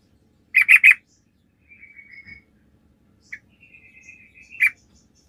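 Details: Sooty-headed bulbul lure recording, chatty 'gacor' style, played to make other bulbuls answer: three loud, bubbly notes in quick succession, then soft thin warbling and a sharp chirp before the clip fades out.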